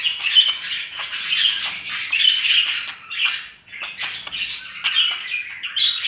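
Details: Budgerigar keeping up a steady warbling chatter of scratchy chirps and clicks, mixed with a few clearer whistled notes, with one short lull midway before the chatter resumes.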